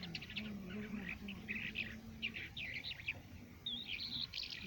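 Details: Crested lark from Quetta, Pakistan, singing: bursts of chirpy, warbled notes with short twittering runs and a few thin rising whistles, separated by brief pauses, over a steady low hum and faint murmuring in the background.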